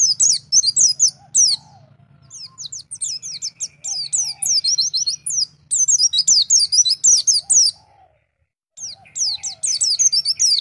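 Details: Wild-style white-eye song used as training audio to excite young white-eyes: rapid high twittering phrases of slurred chirps, broken by short pauses near 1.5 and 8 seconds, with a faint low hum beneath.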